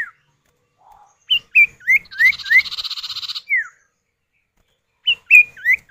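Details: Male and female common iora answering each other, recorded as a lure to start other birds singing: looping rising-and-falling whistled notes around a buzzy trill, a pause, then more quick whistled notes.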